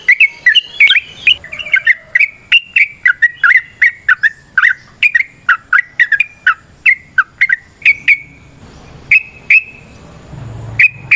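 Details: Long ropel nrotok ngecuplik song of a trucukan, the Yellow-vented bulbul, serving as a lure for other birds: rapid rattling series of sharp chirped notes for about eight seconds, slowing to spaced single whistles with a low rustle near the end.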